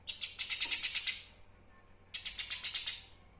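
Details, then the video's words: Eurasian tree sparrow master recording for training cage songbirds: two even trains of about eight quick, scratchy chirps each, separated by nearly a second of quiet. "Suara Asli burung Gereja Bukung Untuk Pemasteran"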